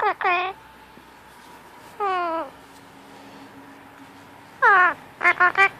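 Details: Pet Indian ringneck parakeet, a male, vocalizing while cuddled and seeking attention: a few widely spaced harmonic falling notes, then a quick run of short bright syllables near the end.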